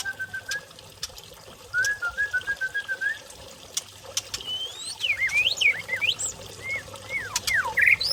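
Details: Aceh white-rumped shama from Lamno forest in Aceh Jaya, giving a long steady whistle, then a string of even, repeated whistled notes, followed by swooping upward and downward slurs and a few sharp clicks.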